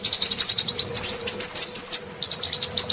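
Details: Female sunbird call for luring males: fast, rhythmic high chips roughly three per second, broken by a short jumble of slurred twitters in the middle.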